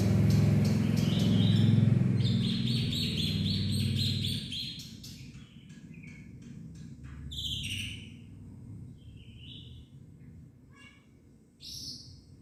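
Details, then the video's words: Black-winged myna singing a full varied song: a loud buzzy chattering phrase, then scattered sharp clicks, short whistles and rising squeaky notes spaced across the clip, with a low rumble early on. "kicauan jalak putih full isian"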